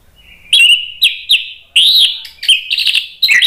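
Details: Loud, emotional orange-headed thrush song used to spur other birds into singing: a string of quick, sharp whistled notes and short warbled phrases, each starting strongly and sliding down, delivered almost without pause.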